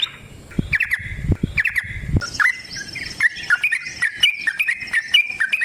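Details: Yellow-vented bulbul singing a long fighting song meant as a lure; low thumps and noise early on, then a fast run of whistled, up-and-down notes dominates.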